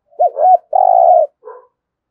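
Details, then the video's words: Spotted dove in thúc gù style: a wavy double-humped coo, a long, steady, vibrating coo, then a faint short note. "cu gáy thúc gù"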